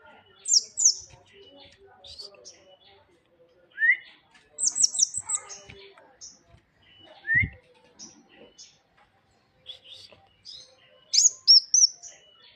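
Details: Tame bird in lively song: clusters of sharp, very high chirps and rapid tweet trills, a couple of lower rising squeaky notes, and a final run of high whistles, separated by short quiet gaps.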